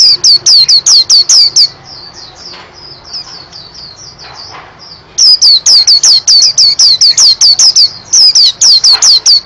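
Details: Loud shrill downslurred whistles from a white-eye in rapid series, broken by a quieter passage of soft high twittering, then resuming strongly.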